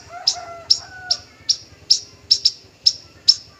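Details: A male parva bushlark repeats a sharp, piercing high note roughly twice a second in an even series, with a faint lower warble early on and a soft low hum throughout.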